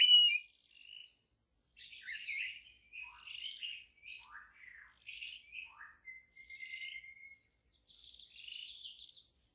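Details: White-rumped shama singing wild in the forest: varied, jumpy phrases of high chirps, slurred whistles and buzzy notes separated by short pauses, including one long flat whistle.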